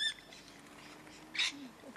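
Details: Wild rainbow lorikeets, part of a flock of hundreds in Lane Cove National Park, landing on visitors: two short, harsh, broadband screeches, one at the start and a louder one near the middle, with quiet background between.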